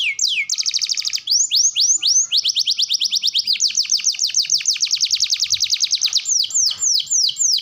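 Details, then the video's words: Canary song used as a training recording for young birds: rapid rolling trills of high, steeply sweeping notes, switching between several trill types and running almost without pause for the whole stretch. "KENARI GACOR TEMBAKAN ISTIMEWA LANSUNG RESPON MASTERAN TERBAIK UNTUK KENARI PAUD| BAHAN|DEWASA"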